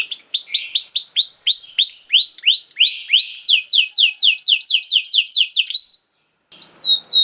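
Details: Canary song meant for young canaries to copy: long series of fast descending whistled sweeps that grow denser and higher, a short silence, then a few more sweeps.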